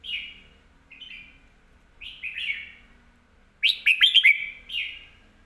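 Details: Red-whiskered bulbul singing with clear, well-phrased song: short slurred whistled phrases spaced about a second apart, then a loud burst of quick chirping notes and a final slurred phrase.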